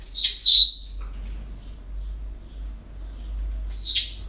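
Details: Parrots at a breeding centre, an ordinary day: a harsh, high screech opens, a faint short note follows, then a second grating screech comes about three seconds later over low hum.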